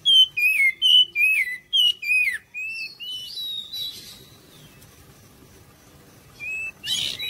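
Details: Oriental magpie-robin song played to lure other birds into answering: a string of loud, downward-slurred whistles repeated about twice a second, then buzzy notes, a quiet gap, and a closing harsh call.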